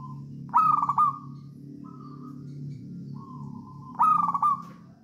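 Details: Local wild zebra dove from Java, 'songgo ratu' style, used as a master recording to get doves singing: two vigorous stuttered coo bursts, each ending in a level note, with soft short coos between and a constant low hum.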